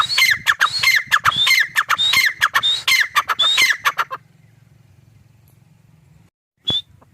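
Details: Grey francolin, known locally as teetar, giving a rapid run of loud calls for about four seconds. Each phrase is a high whistled note that drops into harsh, clipped syllables, about one and a half phrases a second. Faint low hum follows.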